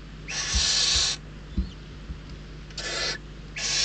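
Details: Barn owl young at a Spanish Ebro Delta nest, hungry and contesting prey from an adult; a drawn-out hissing screech near one second, then two shorter rasps, with thumps of movement between them.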